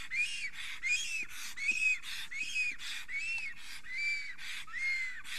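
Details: Excited male black stork at an Estonian forest nest on a late April morning, singing and trembling as a female passes: a steady series of breathy, arched whistling notes, about one every 0.7 seconds, with faint low background noise.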